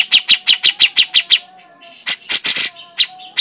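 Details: A grey-cheeked bulbul (cucak jenggot) rattles off crecetan chatter: eight quick evenly spaced chips, a short pause, then a cluster of harsher scratchy notes and a few scattered ticks.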